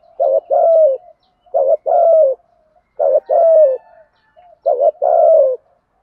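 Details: Cooing spotted dove used to lure wild doves and train decoys: four similar phrases, each a brief hiccuping coo then a drawn-out, slightly descending coo, spaced about every one and a half seconds, clear and quiet background.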